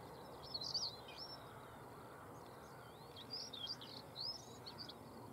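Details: Early-morning Stonechat song, Cavenham Heath, Suffolk, UK, 22 March 2015: several short, high, scratchy and squeaky phrases spaced a couple of seconds apart in a quiet open setting.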